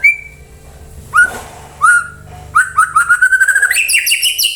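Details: White-rumped shama singing to prompt other birds to answer; isolated falling whistles give way to a quickening series of repeated slurred notes that rise in pitch into a bright trilling phrase.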